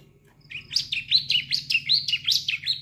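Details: Juvenile bar-winged prinia (ciblek) learning its song, a sound meant to prompt adults into singing: a steady run of about eight bright, high, slurred chirps, roughly three per second, over a faint low hum.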